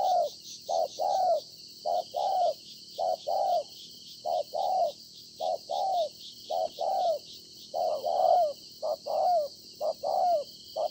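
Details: Wild-caught spotted dove cooing steadily, recorded 26 September 2020: low hollow coos in pairs, a short clipped note followed by a longer, slightly falling one, repeated about once a second over a constant high hiss.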